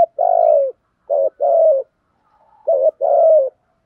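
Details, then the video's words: Spotted dove calls used as a lure for other doves: low trembling coos in phrases, a long coo, then paired short-and-long coos repeated twice with a quiet gap between. "tieng chim cu gay gu thúc và gáy gọi/ chim cu gáy dùng kích bổi rất hiệu quả"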